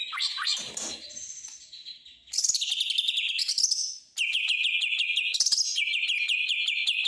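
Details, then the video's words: Greater green leafbird song with sewing-machine mimicry, loud and continuous: buzzy rattling trills and rapid stuttered notes at high pitch, shifting between bursts, with a short gap before the rattle resumes. "Cucak hijau isian katem,mesin jahit"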